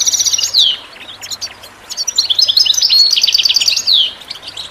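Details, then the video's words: European goldfinch song for listening and bird training: fast liquid twittering with high ringing notes, several falling slurred whistles and trilled runs, almost continuous over five seconds, with a faint low hum underneath. "The finest goldfinch chirps and songs for listening and training birds"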